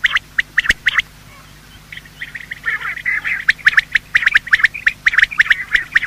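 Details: Morning sound of male and female quail for hunting: a few scattered sharp chirps, a near-silent pause, then a continuous busy chatter of rapid overlapping chirps from about two seconds on.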